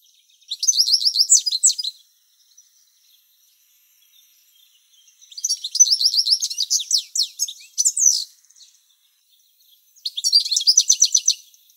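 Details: Male European goldfinch singing a few tens of metres from the nest while the female incubates, late July: three bursts of rapid, tinkling, twittering notes, high and liquid, each one to three seconds, with quiet pauses.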